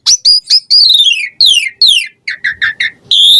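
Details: Asian pied starling singing with rich variation, used as a lure for caged birds: sharp high notes, long descending whistled slurs, four short lower notes in a row, then a steady high whistle.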